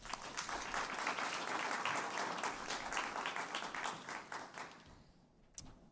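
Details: Steady applause from a crowd fills the first five seconds, then fades to near silence with one last sharp clap.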